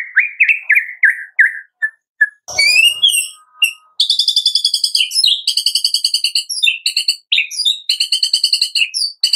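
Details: White-rumped shama song in the morning, meant to make captive birds sing: repeated slurred whistles, then a long fast rhythmic series of high ringing notes.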